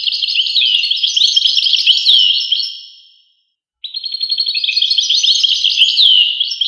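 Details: European goldfinch singing two twittering phrases of rapid liquid notes and downslurred whistles, separated by a half-second pause.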